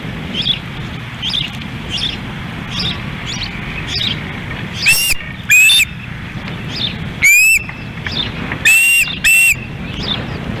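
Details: Osprey family at a ranch nest in Lolo, Montana, 10 August 2016, chicks squabbling over a delivered fish: scattered faint chirps, then several loud rising whistled calls in short groups, amid constant rushing noise.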